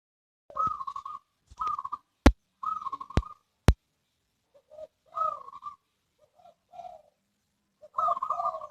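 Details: Zebra dove cooing in short, soft trilled phrases, each a rapid run of mellow, pulsing coos about a second long, repeated with short gaps, broken by several sharp clicks.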